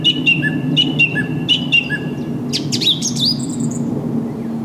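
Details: Song thrush (Turdus philomelos) recorded 6 April 2010 repeats a short, bright whistled phrase three times, then switches to quick varied notes and sweeps, over a steady low rumble.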